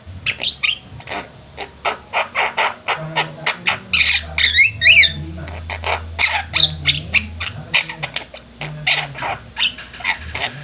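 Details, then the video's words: ['Javan mynas kept as a flock, singing energetically: a busy run of harsh, rasping, clicking bursts repeated rapidly, several squeaky notes around the middle, over a steady low hum in the background.'] "Burung jalak kebo ombyokan juga bisa gacor"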